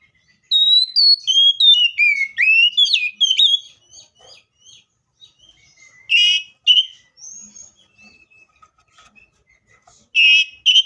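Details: Loud, clear song of a Seychelles magpie-robin: a rapid run of varied whistled notes, some sliding up and some down, then pauses broken by harsh, buzzy bursts and a few quiet tones.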